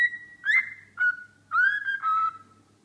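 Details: A singing cockatiel gives sustained whistled notes, level then dipping, linked in a short phrase of four or five tones over faint background hum.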